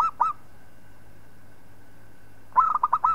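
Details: Zebra dove, local type, singing as a model for training other birds. The tail of one phrase opens, then after a pause comes a full burst of quick, rolling, pulsed coos, with a soft steady hum beneath.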